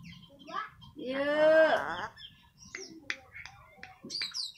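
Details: Eclectus parrot (nuri bayan) mimicking a human voice, one drawn-out harmonic syllable that bends upward then drops, followed by short clicks and high squeaks.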